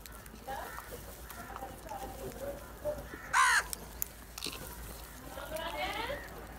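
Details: Black crows in a large group attacking cheese: one loud, harsh, harmonic caw bursts out midway, with fainter, scattered calls from other birds before and after over a steady background hiss.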